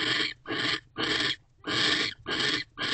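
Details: Mating owls at a nest box, December 2023 evening; rapid rasping, broadband hiss-like screeches repeated almost twice a second in rough, noisy bursts with brief gaps between them.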